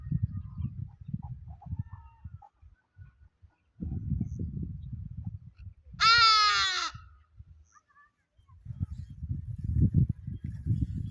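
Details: Hadada Ibis giving a single loud, nasal, harsh call lasting under a second, rich in overtones and slightly falling, set against low rumbling wind or handling noise before and after.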